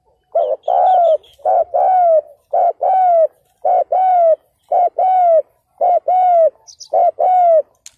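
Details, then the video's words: Spotted dove kept as a ground decoy, cooing to attract wild males in 2022. It gives a steady, loud run of paired coos, about one pair a second, each note swelling and dipping. A burst of high chirps briefly overlaps near the end. "CHIM CU GÁY MỒI ĐẤT KÍCH BỔI CỰC SUNG"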